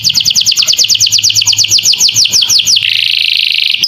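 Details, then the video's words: Canary singing a long master song with lovebird-style fill-in phrases, for training young songbirds: rapid high down-slurred whistles repeated about three per second, then a steady buzzy trill at the end, with a faint low electrical hum. "Masteran kenari isian lovebird,durasi panjang cocok untuk paud"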